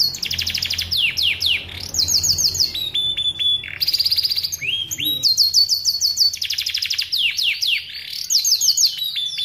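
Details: Kept canary singing prolifically, meant to stimulate other canaries to sing: bright high rapid trills and rattling tours broken by short pauses and a steady sustained whistle, over a quiet background.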